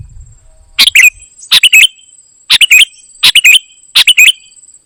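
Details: Golden-fronted leafbird, known locally as kutilang emas, singing in a lively, full-voiced style: five loud, short chirpy bursts, each a quick pair of bright notes, spaced under a second apart over a faint steady high whine.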